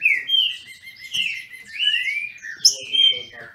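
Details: Green-winged saltators held by a Brazilian breeder compete in song. Long rich whistles slide between notes, with a sharp high note near the end followed by a descending phrase.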